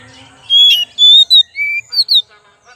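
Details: Oriental magpie-robin song played as a lure: a burst of slurred whistles, then a long level whistled note, a short clip, a lower drawn-out rising whistle and two sharp high notes, all clean with no background sound.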